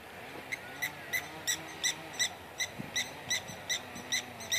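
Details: Blacksmith lapwing, locally called kiewit, making a racket near its nest and chick as a walker approaches on a path: sharp metallic clinking notes repeated about every third of a second, with low rumbling in the background.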